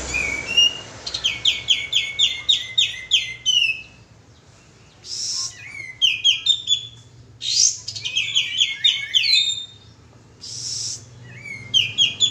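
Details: Sooty-headed bulbul lure call: bright bursts of rapid chirpy notes, quickly repeated and stepping down in pitch, coming in phrases of one to three seconds, broken by short hissing noise bursts and pauses.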